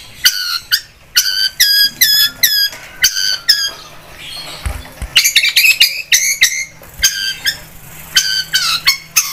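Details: Long-tailed shrike (cendet) in lively, vigorous song, used as a lure recording: harsh, buzzy notes layered with overtones, given in rapid bursts, with a short gap near the middle and a faint low hum beneath.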